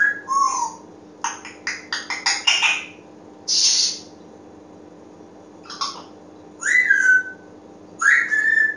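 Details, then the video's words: Pet African grey parrot indoors producing a mix of rapid clicking and tapping sounds, a breathy hiss, then rising whistled calls near the end, with steady background hum. "African Grey Parrot slideshow"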